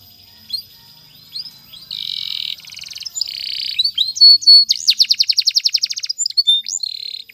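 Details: Canary song for training that opens quietly, then builds into buzzy rolled phrases, a sharp whistle and a rapid repeated trill, closing with softer slurred notes and a buzzy roll.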